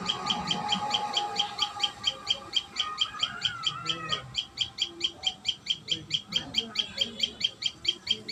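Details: Common tailorbird calling at the nest: a long string of quick, high, clipped chirps, more than thirty in a row, with a softer lower warbling sound briefly beneath them midway.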